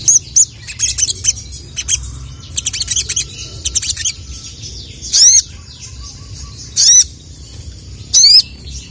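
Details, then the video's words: Sooty-headed bulbul calling out rival males: rapid clusters of sharp, high chirps early on, followed by three louder, buzzy, downslurred notes spaced about a second and a half apart. "SOGON GACOR CUIT CUIT MEMANGGIL LAWAN JANTAN..!"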